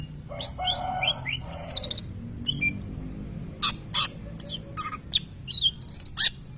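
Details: Greater green leafbird, a champion contest singer, mimicking a lovebird: buzzy chattering notes, high shrill bursts and scattered sharp chirps with pauses between.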